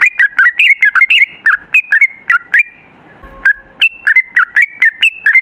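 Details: Yellow-vented bulbul song used as a lure for other bulbuls: fast series of liquid, warbling notes, a brief gap with a thin held whistle, then another quick run of bubbly phrases.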